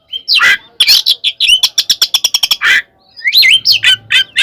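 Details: An oriental magpie-robin's provoking fighting song, with rasping harsh notes, a rapid run of clipped chattering pulses, then sliding whistles and buzzy calls after a brief gap.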